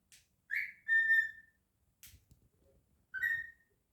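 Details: Pet male cockatiel singing indoors: a rising whistled swoop leading into a long level whistle, a short rustle, then another upward-sliding whistle, in a quiet room.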